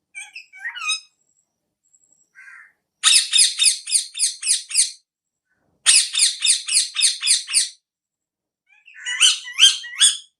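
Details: Parrot calling into an iPhone: a few scattered screechy notes, then two fast runs of about eight harsh squawks each, and a shorter run at the close.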